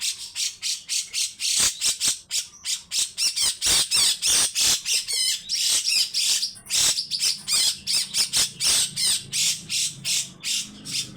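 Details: Grey-cheeked bulbul, a fierce-singing caged bird, delivering a long harsh rattling song of rapid broadband bursts, about three per second, with brief whistled notes mixed in.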